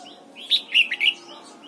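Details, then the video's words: Red-whiskered bulbul in morning voice training, singing a double-note wild-style phrase: a sharp high note, then a warbled pair and a final rising whistle, all within under a second, over light hiss. "Luyện giọng chào mào hót sáng, ép chào mào hót âm kép già rừng hay tuyệt!"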